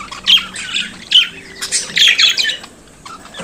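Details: Pet budgerigar singing and chattering: scratchy high warbles and a few whistled notes in short bursts during the first two and a half seconds, then near quiet.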